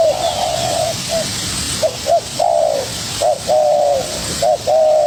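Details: Young spotted dove contesting with a decoy bird: a long sustained coo opens, then short clipped notes and drawn-out coos alternate at an uneven pace, soft hiss behind.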